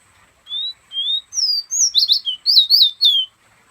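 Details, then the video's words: Perched in the hand, a pet fire red from Guyana gives two smooth rising whistles followed by a lively burst of quick, high, sharply inflected notes, roughly ten, in a quiet room. "Fire red, my bird whistling in my hand"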